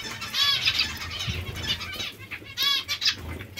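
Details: Hungry zebra finches produce bright, nasal, harmonic calls in clustered bursts, loudest near the start and again after two and a half seconds, with light fluttering wings.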